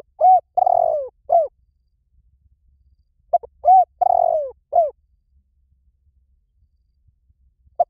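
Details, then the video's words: Decoy cooing of a Spotted dove meant to draw wild doves in. Two matching phrases about three seconds apart, each with short lead-in notes, a bending coo, a drawn-out rough descending coo and a clipped closing note. "เสียงนกเขาใหญ่ หมานๆ ต่อเข้าเร็ว ป่าไหนก็เข้า"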